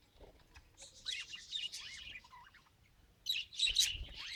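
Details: Budgerigar attempting to talk, giving soft squeaky warbles with curving, slurred whistle-like notes, then a louder burst of harsh chirps in the last second.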